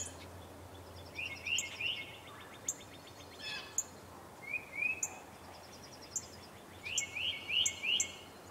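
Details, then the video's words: Birds heard outside around 8 in the morning: scattered, quick, high chirping notes in small clusters, separated by pauses, over faint background noise. "Bird Sounds"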